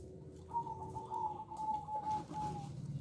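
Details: Small-voiced local zebra dove (perkutut lokal) in full song: a rapid, steady-pitched trilling coo that runs for about two seconds, set against a low rumbling background hum.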